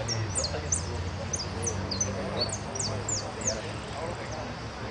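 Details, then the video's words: Competition song of a jilguero at the Irupé Federation cup, 22 02 15, 'blanco sin cierre' category: bright, very high falling whistles tumbling out roughly three per second, with a steady low hum and murmur beneath. "Participo en blanco sin cierre copa Federacion Irupe"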